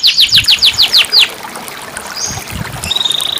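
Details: Canary song, played as therapy to restart a canary that has stopped singing: a quick series of seven bright downslurred whistles, then a soft pause and high thin whistled notes ending in a faint fast trill.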